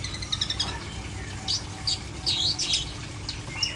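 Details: Long-tailed shrike singing a jumble of quick high chirps and short twittering phrases, some notes bending up and down, with a low hum underneath.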